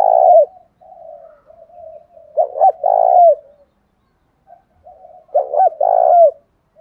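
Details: Lure spotted dove in the thổ đồng style: loud burry double coos, a quick note then a drawn-out rolling one, given three times about every 2.5 seconds, separated by soft low cooing and brief silence.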